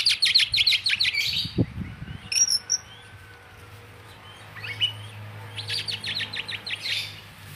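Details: Oriental magpie-robin (kacer) giving bursts of fast repeated notes, about three per second, with a few high whistles between. A quiet gap in the middle carries faint background hum.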